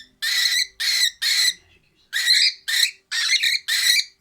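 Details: A cockatiel, deliberately angered by its owner, gives harsh, raspy "dinosaur" screeches in quick bursts, about two each second.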